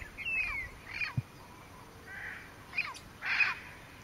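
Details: Southern screamer with a juvenile at Porto Jofre, Pantanal, Brazil, 25 September 2013: a few short, harsh, honking notes with falling tails, spaced unevenly over four seconds against a quiet background.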